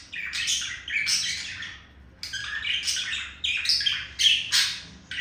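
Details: Pet male budgie serenading a female during courtship: harsh, buzzy chatter and chirps in four or five clustered bursts, with a short pause near the middle, nothing else audible.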